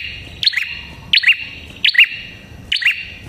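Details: Red-headed prinia giving loud, emphatic calls. Four sharp two-part chips, each a high click sliding into a bright falling note, come roughly every 0.8 seconds, with a short ringing echo after each.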